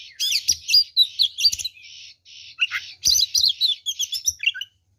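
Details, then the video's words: Oriental magpie-robin in full fighting-mode song, packed with varied phrases, used as a lure to provoke rival magpie-robins into aggression; rapid bright chirps and twisting whistles in dense bursts, a brief pause near two seconds, then another busy run of notes. "SUARA BURUNG kacer gacor TARUNG FULL ISIAN ini PALING AMPUH MEMANCING KACER LAIN JADI EMOSI"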